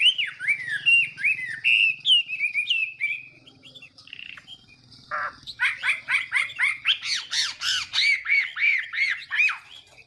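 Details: Chinese hwamei singing a morning contest song for voice training: downslurred whistles, a brief pause with a rasping note, then a fast, loud series of arched, ringing whistled notes repeated several times a second.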